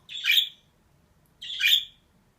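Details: Female budgerigar giving two drawn-out, harsh, squawky calls about 1.3 seconds apart, with soft low hum beneath.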